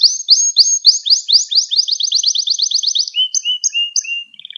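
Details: Canary singing for a recording used to train young canaries: a run of quick sweeping notes, spaced high whistles over lower ones, and a short trill at the end.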